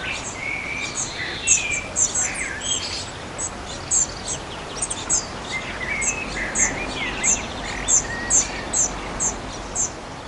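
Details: Spotted flycatcher during nesting, recorded between 13 June and 13 July 2011: short, very high thin notes repeated roughly twice a second, with another bird's lower whistled phrases and a steady outdoor hiss beneath.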